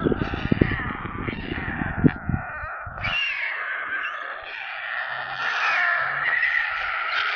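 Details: Begging white stork chicks at their nest outside Kaluga, central Russia, on a live camera: continuous scratchy, wheezy screaming that grows louder toward the end, with dense low thumping early on.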